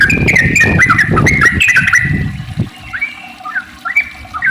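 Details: Sooty-headed bulbul singing in the long-trill 'ropel panjang' style, used as a lure to make other bulbuls sing: quick bubbly whistles half-buried under loud low noise at first, then clearer, scattered rising notes.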